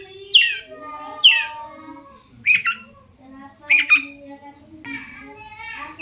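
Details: Sparse harsh calls from a long-tailed shrike, played to make other shrikes reply: two loud descending rasps, then paired shorter scratchy notes and a fainter buzzy ending.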